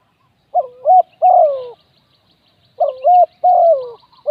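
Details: Spotted dove serving as a decoy to attract wild doves repeats a mellow phrase twice: a clipped double note, then a long coo that slides downward, with a faint high ticking in the background.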